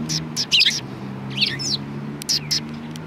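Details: Sparrows at a Tenmangu shrine in Japan on 1 March 2020; bright, clustered chirps in irregular bursts with brief pauses between, backed by a constant low droning hum.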